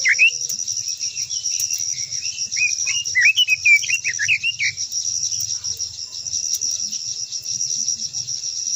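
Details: Japanese white-eye in long-voiced song, sung to provoke other white-eyes. A lively stream of high, rapidly changing warbled notes lasts nearly five seconds and then stops, leaving a persistent shrill insect drone.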